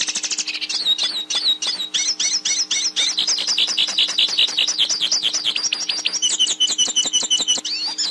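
A goldfinch sings a fast, unbroken run of bright twittering and tinkling notes, high and silvery, with quick repeated chips over a faint steady hum.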